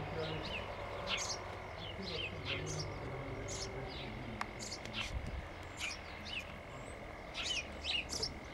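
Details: Busy sparrow chirping: repeated high, clipped tweets, often in quick pairs or triplets, nearly continuous for eight seconds, with a steady tonal whine and low rumbling noise underneath and one sharp click.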